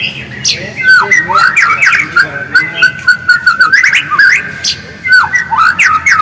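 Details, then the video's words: Original white-rumped shama voice used as a lure to prompt singing: loud, continuous and varied, with rising and falling clear whistles, slurred notes and dense sharp clicks throughout, barely pausing. "PANCINGAN MURAI AGAR GACOR DENGAN SUARA ASLI"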